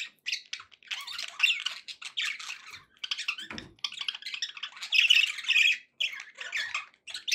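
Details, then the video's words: Happy budgies keep up a near-continuous warble of buzzy chirps, squeaks and grating notes, the chatter swelling and dipping with one low thud partway through. "happy budgie sounds"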